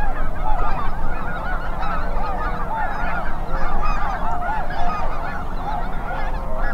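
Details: Huge migrating goose flock at North Ottawa Impoundment, Grant County, western Minnesota: tens of thousands of Snow Geese, thousands of Greater White-fronted Geese, fewer Ross's, Canada and Cackling Geese; dense unbroken chorus of overlapping honks and yelps over heavy low wind rumble.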